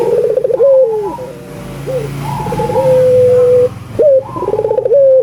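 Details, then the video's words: Albino collared dove in full song, played to stimulate other doves to call: fast rolling, pulsed coos followed by long, level, humming notes with short upward flicks, in repeated bouts. A faint background hum is present. "Suara Burung Puter Gacor ,merangsang burung puter agar bunyi"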